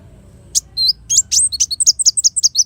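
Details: Black sunbird giving a lively twittering song: a few sharp, high chips that speed into a rapid, even series of bright notes.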